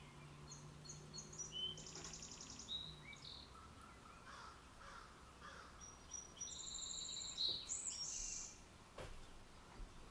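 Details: A juvenile purple finch trapped inside a suet cage in Quispamsis, New Brunswick, on 12 July 2024, giving sharp, high chirps and thin metallic notes, irregularly spaced, over a faint low hum.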